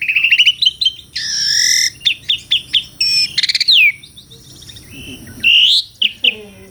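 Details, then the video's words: Melodious Asian pied starling song, varied and busy, mixing rapid chattered notes, harsh buzzy bursts, clear slurred whistles and short sharp chips in an irregular, rambling sequence. "SUARA KICAUAN BURUNG JALAK - JALAK SUREN GACOR MERDU SEKALI"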